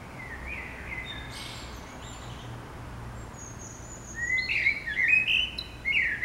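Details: Morning song of a common blackbird in a city neighbourhood. The first seconds are quiet with faint distant notes, then clear warbled and fluted phrases arrive near the end over a low steady hum.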